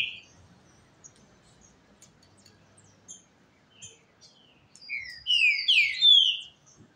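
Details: Green-winged Saltator (trinca-ferro) kept as a caged songbird, in a song duel at a rival's home: faint scattered high notes, then a burst of loud, overlapping downslurred whistled phrases near the end.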